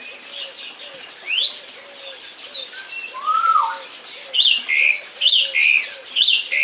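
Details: Song thrush repeating a short bright phrase four times at about half-second intervals after rising and arching whistles, while a soft low hoot repeats steadily in the background.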